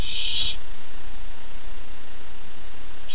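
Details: Barn owl owlet excited to receive a treat, nest camera, 13 July 2015: one half-second raspy hissing screech at the start, another just beginning at the end, steady hum between.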